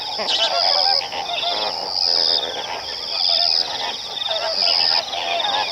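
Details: A dense flock of Greater and Lesser flamingos keeps up a constant gabbling chatter of nasal, overlapping calls, with a steady high-pitched whine running underneath.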